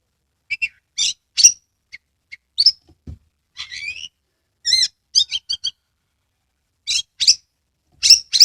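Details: Oriental magpie-robin, a caged bird in Kebumen, Central Java, singing vigorously in 'konslet' style, tail spread, as a lure for other birds. Varied high chips, quick whistled notes and scratchy trills come in short bursts separated by brief pauses.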